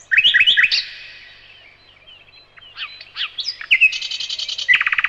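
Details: Nightingale song opening with loud rising chirps, going quiet with faint squeaks, then building into a fast buzzy trill and a rattling run of repeated notes.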